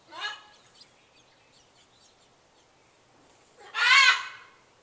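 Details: A pet bird kept in a neighbourhood home giving its loud morning kwaak calls: two harsh, raspy squawks, a short one at the start and a longer, louder one near the end, with quiet between.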